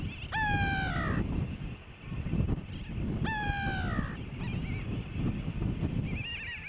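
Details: On Johnston Atoll, June 16, 2001, a grey-backed tern gives two drawn-out, harsh, downward-sliding cries about three seconds apart. Fainter, shorter calls follow from other birds against continuous low background noise.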